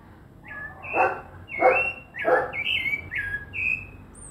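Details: Rufous-bellied thrush (sabiá-laranjeira) singing a run of clear whistled phrases, some level and some gently sliding, with a high thin note at the end. A dog barks loudly three times in quick succession near the start.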